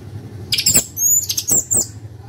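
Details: Orange-headed thrush in loud open-beaked song, giving several bursts of very high, sharp, thin notes and squeaky slurs in quick succession over a low background hum.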